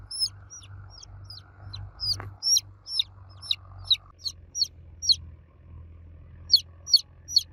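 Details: Young chicks cheeping loudly for the mother hen; a long run of thin, high downward-sliding peeps, irregularly spaced, with a brief knock midway and a steady low hum behind.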